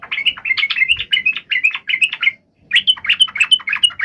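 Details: Yellow-vented bulbul in a lively fighting song meant to provoke other bulbuls to answer: fast, jumbled run of bright chattering notes, about three per second, broken by a short pause before a second burst.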